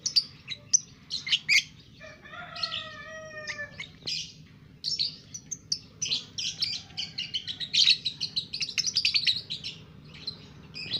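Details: Two-month-old lovebird singing steadily: a rapid stream of shrill, scratchy chirps with a few drawn-out whistled tones early on, growing into a dense chattering run, over faint low hum.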